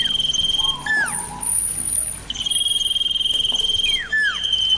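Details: Common iora song with birds answering each other, clear and loud: long, level high whistles interrupted by sharp downward-curving slurs, plus a lower whistled note and a faint higher thin tone.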